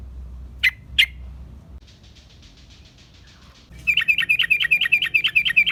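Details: Sooty-headed bulbul recording meant to lure wild birds: two sharp chips, faint soft chatter, then a long rapid sequence of repeated, liquid warbled notes.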